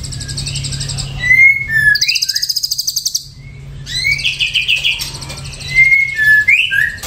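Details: Song of an Ashy drongo: clear downslurred whistles, a fast series of high ticking notes, then varied whistled and buzzy phrases with rising slurs.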